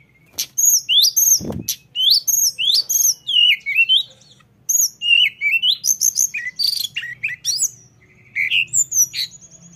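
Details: Rolling song of the lesser shortwing, tledekan gunung: long run of high, sweet whistles, rapid slurs and scratchy chips in quick bursts separated by short pauses, with one brief low knock near the start.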